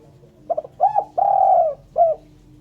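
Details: Spotted dove, a clean recording used as a lure for catching birds: a short series of soft, hollow coos, with a stuttering start, a longer drawn-out rolling coo in the middle and a brief final note, over a quiet low hum.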